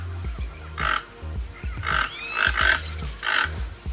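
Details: Keel-billed toucan, also called rainbow-billed toucan, giving rough, dry croaking calls in short bursts about once a second, with a steady background of music and low bass beats throughout.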